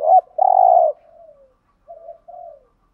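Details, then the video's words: Lure call of a spotted dove for wild doves: one short curled note, then a long steady coo, trailing into two soft, falling, muted coos. "chim cu gáy kích bổi thúc gù/ chim cu gáy mồi bài bản [ thúc gù. gáy gọi ] bổi nghe gáy theo 100%"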